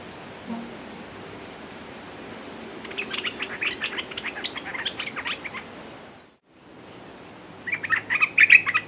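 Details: Red-whiskered bulbul decoy calling to lure a territorial wild bird: quiet start, then a burst of rapid chirpy notes around three to six seconds, a short silence, and a bright chattering phrase at the end.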